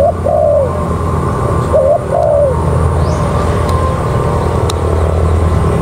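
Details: Decoy spotted dove set on the ground, cooing twice early on, each a short rising note then a longer arched, falling coo, followed by a steady low rumble.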